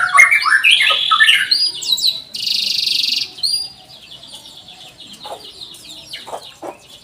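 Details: Lively canary giving a cuit-cuit song meant to coax young canaries into singing: loud tumbling warbles and chirps, then a buzzy trill, fading into quieter repeated whistled notes.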